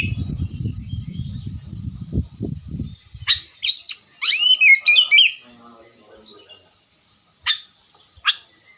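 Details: Oriental magpie-robin singing after a stretch of low rumbling noise: a short burst of rich whistles and chirps, then silence broken by two isolated sharp chips.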